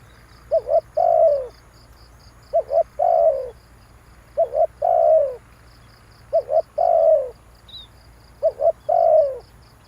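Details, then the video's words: Spotted dove calling to rouse decoys: five evenly spaced phrases, each two sharp wavering notes leading into a longer, throaty, downslurred coo, roughly every two seconds, over a continuous high insect ticking. "tiếng chim cu gáy kích bổi hay"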